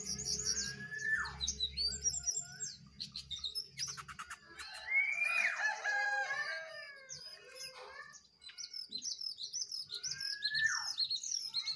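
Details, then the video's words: Jongkangan singing duel between a wild bird and two caged birds: busy overlapping high whistles, slurred downward notes and rattling clicks, several voices answering one another. "jongangan gacor 1 Liar Vs 2 Sangkar"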